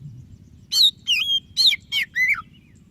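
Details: Oriental magpie-robin, white-breasted form, singing to prompt lazy birds: five crisp whistled notes in quick succession, some rising and some falling, over faint low hum.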